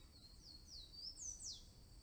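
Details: Blue-and-yellow tanager singing: a quick run of thin, very high squeaky notes, several sliding downward, the last two louder and sharper, over a steady high insect drone and faint low background rumble.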